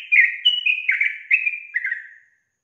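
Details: Yellow-vented bulbul female whose calls are said to make males reply: a quick chattering phrase of six or seven sweet, downslurred notes lasting about two seconds, tailing off into a softer falling note.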